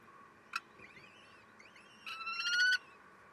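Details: Common kestrels at their nest in May during a 12:45 feeding, with the male stealing food. A sharp click and soft wavering high calls come first, then a louder, drawn-out harmonic whining call rising slightly for under a second.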